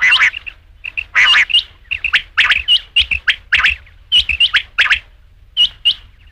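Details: Rain quail (batair), a call meant for use at night in quail hunting: harsh, broadband double and triple bursts with thin tonal chirps, repeated in irregular clusters about once a second, over a clean quiet background.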